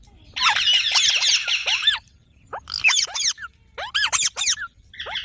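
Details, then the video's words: Several green parrots calling in quick bursts: rapid, piercing, downslurred screeches packed into three or four loud flurries separated by short silences. "Green Parrot Talking Natural Sounds"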